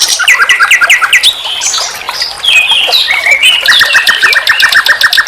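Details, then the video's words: Master song of the common nightingale for teaching captive songbirds: chattering repeated phrases, sliding whistles, and a closing run of quick repeated notes. "Masteran SIKATAN LONDO || NIGHTINGALE BIRD, Guru vokal semua burung kicau."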